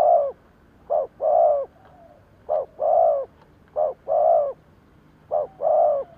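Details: Spotted dove lure bird calling to attract wild doves: four double coos, a quick note followed by a longer warm coo, spaced roughly every second and a half, over a faint low rumble.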